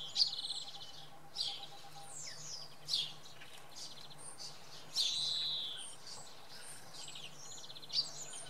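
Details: Early-morning common redpoll at Oksywie: rapid stuttering chatter series at the start and near the end, separated by slurred high chirps from other birds, over a quiet low hum.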